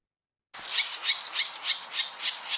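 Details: A Virginia Rail, a secretive marshbird, gives a steady series of about seven harsh, nasal, pig-like grunts, roughly three per second, after a brief silence; the grunts are used by both sexes to defend territories and communicate.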